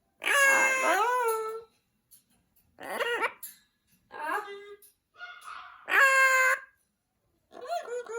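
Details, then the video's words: Pet Amazon parrot talking at home, giving loud harmonic squawky calls and drawn-out wavering phrases in bursts with short pauses, while a person prompts it with "say hello" amid laughter. "Parrot Talking"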